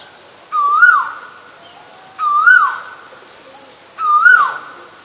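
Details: Three strong whistled notes from an Asian koel, each climbing briefly then sliding down, repeated at a steady pace of roughly one every two seconds over a quiet background.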